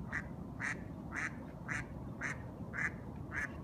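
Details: A duck calling at the end of the day gives seven short, nasal quacks, evenly spaced about twice a second, over a steady low rumble.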